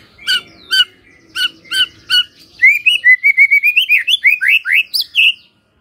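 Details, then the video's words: White-rumped shama singing as a lure to get other shamas to reply: a few spaced harmonic chips, then a fast run of short rising whistled notes climbing steadily higher. "pancingan murai batu ini bikin GAMPANG NYAUT murai lainnya"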